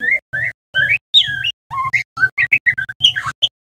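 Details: Juvenile male white-rumped shama practising its twittering learner's song: short separate whistled notes, some rising, some falling, then a quicker jumble of chirps and slurred whistles, with a constant low hum underneath.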